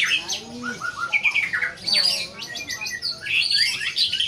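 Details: White-rumped shama performing at a singing contest: high, varied whistles and sharp chirps tumble over one another against constant crowd noise.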